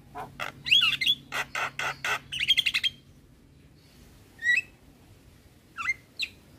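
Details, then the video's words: Javan myna gives a rapid run of about a dozen harsh, grating notes, then two sharp whistled calls after a pause, over a faint low hum. "Burung Jalak Kebo dan Jalak Lainnya - Jalak Kebo Gacor"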